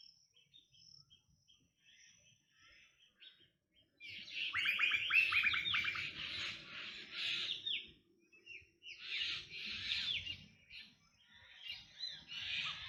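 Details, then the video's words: Black drongo giving loud, harsh, scratchy bursts of rapid notes in two long bouts separated by a brief pause, after a quieter stretch of faint chirps. "Black Drongo Bird Sound"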